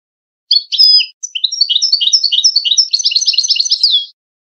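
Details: European goldfinch singing in the Widani style, a recording used to tutor young goldfinches and hybrids for singing contests: bright, liquid twittering notes that quicken into a dense rolling trill and end in a downward slur, with no other sounds.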